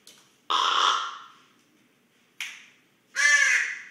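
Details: Common raven snoring while asleep, recorded close up: three harsh, raspy, broadband rasps, two long and loud with a shorter fainter one between, separated by silence.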